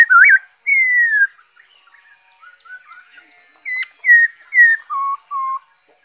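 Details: Black-throated laughingthrush song recorded 5 May 2021: loud looping whistle and a long falling whistled note, a quiet pause, then a series of short clear whistles dropping in pitch.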